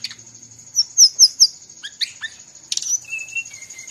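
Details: Brown-chested jungle flycatcher from Bali singing hard amid other birds' voices, for training cage birds: four clear repeated sweeping notes, a few falling chirps, a loud burst, then two long level whistles, with a thin high tone throughout.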